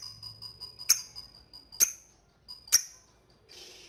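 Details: Lovebird giving sharp ticking 'ngetik' calls, used to call a rival and prompt chattering; single clicks roughly every second, with a faint steady high tone behind and a short hiss at the end.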